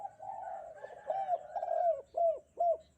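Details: Spotted dove cooing energetically in bright morning weather: a sustained, wavering hum that breaks into rounded coos, ending with two distinct, well-spaced arched notes.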